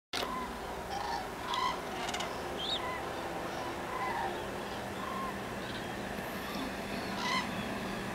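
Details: Common cranes at Linum on 10 October 2014: scattered, distant trumpeting calls near one kilometre-pitch tone from a flock, some overlapping, over a steady rushing background with a few higher chirps and clicks.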